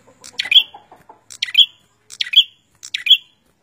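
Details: Bar-winged prinia, male and female singing together or in turn; loud sharp chirped phrases with a buzzy downward flick, repeated about every 0.7 seconds, with softer chatter at the start.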